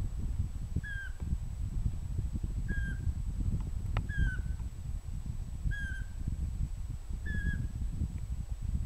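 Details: Pygmy owl repeating a single short whistled note with a slight downward slur, five calls at intervals of about one and a half to two seconds, over heavy low-pitched background rumble.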